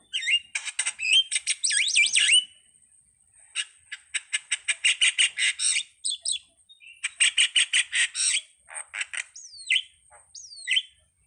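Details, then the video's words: Starling giving a long song: a run of quick buzzy clicks and rattles, then harsh squawks, and toward the end several slurred whistles that swoop downward. "suwara //burung jalak//"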